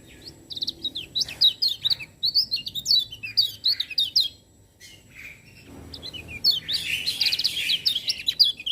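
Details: Lemon-bellied white-eye singing actively, with other birds said to join in: fast runs of sharp, high chirps and twitters, a brief lull midway, then a dense, overlapping burst of chattering notes.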